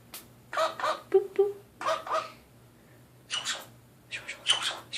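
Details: Captive Nanday conure vocalizing toward its mirror in a small room: bursts of nasal, harmonic squawks and chattering notes in quick pairs, each lasting under a second, followed by rougher raspy screeches.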